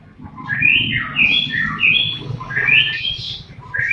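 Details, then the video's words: White-rumped shama song to spur captive shamas into singing: flowing series of slurred whistled phrases at varied pitches, with low background hum. "pancingan murai batu mempercepat murai batu ngeplong dan gacor"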